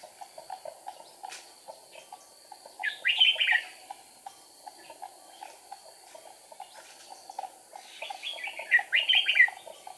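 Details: Wing- and tail-flicking red-whiskered bulbul decoy during trapping, 8 April 2019: two separate bright, slurred warbling phrases several seconds apart, between them a steady background of fast soft ticking.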